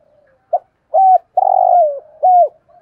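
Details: Decoy spotted dove cooing to draw in wild doves: a brief opening note, then a hollow coo, a long sustained coo sliding downward, and a final clipped coo, all clear against a quiet background.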